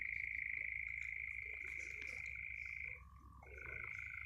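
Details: European nightjar churring on open heathland in the New Forest, England, on a summer evening at sunset: a dry, rapid, unbroken trill for about three seconds, a brief gap, then resuming at a shifted pitch, over a faint low rumble.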